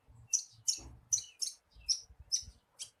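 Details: Javan bushlark lure song for getting a kept bird to sing: very high, sharp chirps about twice a second over a steady low rumbling and knocking background.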